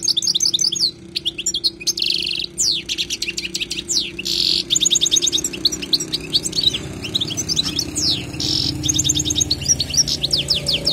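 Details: Wild goldfinch song for teaching young birds: continuous sparkling twitter of slurred whistles and fast trills, broken by several short nasal buzzes. A low background hum runs through the whole passage.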